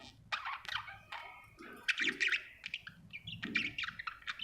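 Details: Happy budgerigar chirping softly, with squeaky warbled notes and short chattering phrases at an uneven pace, faint low thumps in the background.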